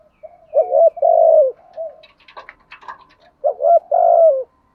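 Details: Spotted dove used as a lure bird, cooing to provoke rival wild males: two bursts of low, throaty coos, each a few quick stuttering notes then a longer wavering note, separated by a quieter stretch of faint clicks and rustles.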